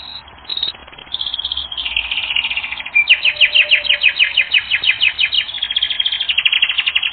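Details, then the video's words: Canary song used as a training recording: short high notes, then a long series of fast chopped chirps and sweeping trills repeated three to four times a second. "Canary Training Recording - 1 Hour"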